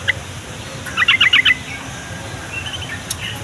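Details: Yellow-vented bulbul song used to prompt young, quiet or flock-kept bulbuls to answer and to lure wild ones closer: one quick run of about five bubbly, chattering notes, with a faint note before and hiss behind.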